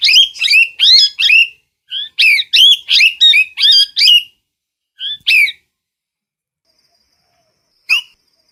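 A parrot gives a rapid run of harsh, squealing screeches, about a dozen in quick bursts, then a pause and a few more shrill calls.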